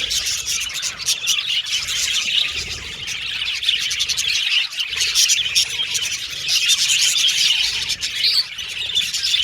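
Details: Pet Australian budgies, several birds whistling, chattering and singing together: a dense, continuous warbling chatter of quick high chirps, squeaks and trills with no pauses and no other sounds.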